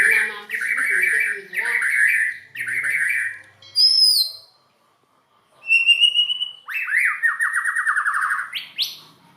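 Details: White-rumped shama singing a song described as strange: loud whistled phrases with rapid buzzy trills, a brief silence, then high pure whistles and a long descending trilled series.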